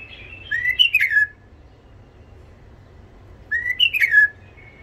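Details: White-eared bulbul, a tame Iraqi bird with a rough voice, singing as a tutor for young bulbuls: two fluty whistled phrases, each rising and then dropping with a buzzy flourish, about three seconds apart.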